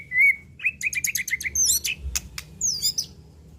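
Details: White-rumped shama (murai batu, 'pastol' type) singing an unrepeated lure song meant to rouse emotion and draw out its repertoire: a long steady whistle, then a rapid run of short rising notes, then sharp high flourishes and slurred whistles.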